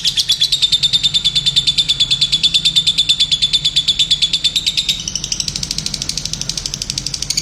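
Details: Lovebird in energetic song, a long fast trill of rapidly repeated high notes, about three per second, holding steady before shifting slightly higher near the end.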